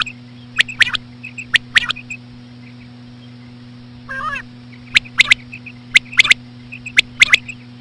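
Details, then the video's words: Common quail female calls in slow rhythm for attracting quail: sharp percussive triple notes roughly each second, with a pause and a brief buzzy wavering call midway, quiet chirps between, and a low background hum. "COMMON QUAIL CALLING WITH SLOW FEMALE QUAIL SOUNDS"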